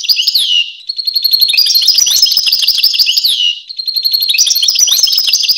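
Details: European goldfinch song: a rapid run of bright, liquid chirps and trills with downward-swooping notes at the end of phrases and short gaps between phrases.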